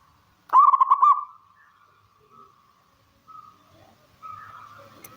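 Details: Local zebra dove giving one short burst of rapid bubbling coo notes lasting about half a second, followed by faint soft purring notes.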